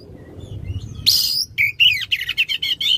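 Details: Oriental magpie-robin song used as a lure to stimulate a magpie-robin that has stopped singing: a rising whistle, then a fast run of sharp, repeated chattering notes at high pitch.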